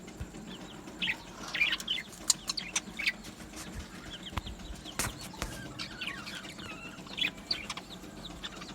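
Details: An aviary colony of budgerigars chirping: scattered squeaky warbled notes and brief chirps come in loose clusters, with sharp clicks and rustling between them and a low background hum.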